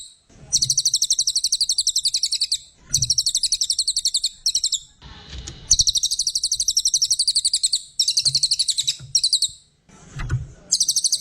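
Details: Master-song brown cililin pours out strings of quick, piercing chattered notes, roughly four each second, in several bursts of varying length, with low thuds and handling noise between phrases.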